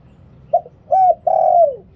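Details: Spotted dove giving its liu tan decoy song: three hollow coos in under two seconds. The first is short, the second is arched, and the third is long and sags at the end. Faint low hum lies beneath.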